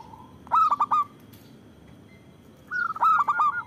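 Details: Zebra dove of local stock used to provoke and lure other doves, with two short bursts of three or four sharp, accented notes separated by a quiet gap.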